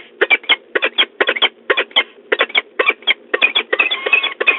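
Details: Male and female peregrine falcons at the nest at De Mortel, Netherlands, 5 March 2022: harsh, grating calls repeated in quick pairs and triplets, roughly several per second, over a steady background hum.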